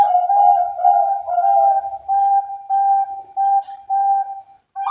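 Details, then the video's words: Bangkok-type zebra dove kept by breeders in Cilacap, Central Java, Indonesia, cooing in steady low tones: a rolling opening phrase, then evenly spaced short coos about every half second, with faint higher chirps. "SUARA PERKUTUT BANGKOK"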